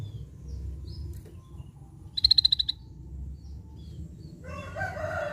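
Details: Characteristic call of a scaly-breasted bulbul: one brief, fast run of about seven high, pulsed notes. Another bird's louder, lower chatter comes in near the end over a steady low hum.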